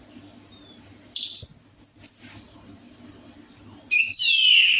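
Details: Orange-headed thrush (anis merah) song used as a lure to coax a reluctant bird into singing: a brief high note, then two bursts of sharp, high whistled and rasping phrases with quick slurred notes, over a faint low hum.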